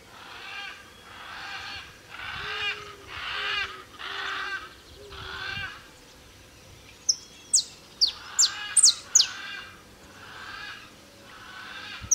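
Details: A male saffron finch (Sicalis flaveola), singing free in the wild at Tupi Paulista, São Paulo, Brazil, gives a burst of sharp, high chirps amid rhythmic raspy chatter, with a few soft low hooting notes from another bird.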